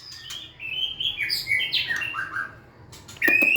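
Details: White-rumped shama singing a quick descending series of clear whistled notes, stepping down over two seconds, followed by a louder burst of clicks and a bright whistle at the end.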